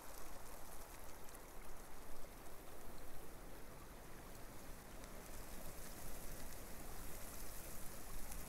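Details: Steady hiss of rain or running water fills the whole recording, with soft patter and trickling and no animal calls.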